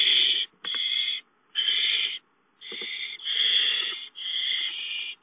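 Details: Nest owls with a gopher brought in: a string of six harsh, breathy screeches of half a second to a second each, separated by short, uneven gaps.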